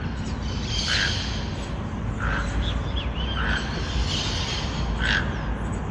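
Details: Toucan calling loudly in forest, giving short hoarse croaking notes at irregular intervals, about five over six seconds, with faint higher chirps between and a steady low background rumble.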